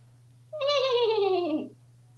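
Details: Male African Grey parrot kept as a pet at home in Texas, happy and very talkative, gives one drawn-out, nasal, meow-like wail that slides downward over about a second, with a steady low hum behind it.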